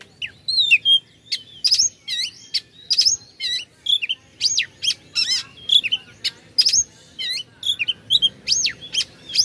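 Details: Oriental magpie-robin song meant to provoke rival birds: a long, varied run of loud whistles, sharp downslurred notes and buzzy phrases, delivered in rapid bursts with brief gaps.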